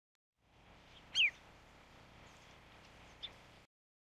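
A Marsh sandpiper gives one sharp, high, down-slurred note, followed two seconds later by a fainter short note, over a soft outdoor hiss.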